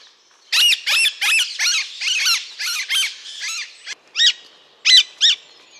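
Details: Alexandrine parakeet calling: a run of harsh, rasping screeches repeated about twice a second, then a few spaced, sharper squawks after a short pause.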